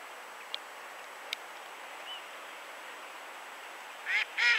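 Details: Two loud, harsh, drawn-out calls from a Caspian gull at the very end, after a quiet stretch with a few faint clicks and one soft distant note.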